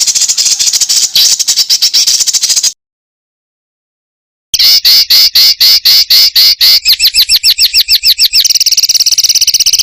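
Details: Master recording of songbirds for training contest birds, full of dense rapid phrases: fast harsh high chattering notes repeated several times a second, a gap of silence, then sharper rapid trills changing into tight buzzy rattles.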